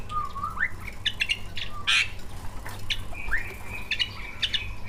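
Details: Greater green leafbirds, two captive prize birds, recorded singing full mimicked song to provoke other birds: rising whistled slurs alternating with harsh, squawky bursts and short chirps, over a low humming background.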